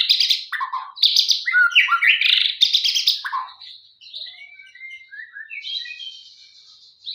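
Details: Morning song of a male white-rumped shama sunning itself: loud bursts of rapid, harsh chattering notes, then softer, thin, rising and falling whistles and a few high buzzy trills.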